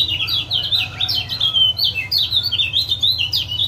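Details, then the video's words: Male lemon-bellied white-eye of the Lombok type uttering 'ciak ciak' calls meant to stimulate a non-singing caged bird: continuous quick, high, slurred chirps and squeaky notes over a low background hum. "Masteran Ampuh Ciak Jos Kecial Kuning"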